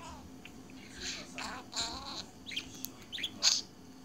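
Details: Budgerigar lost in its own world, murmuring soft harmonic warbles that build into sharper high squeaks and chirps near the end, with a faint steady room hum beneath.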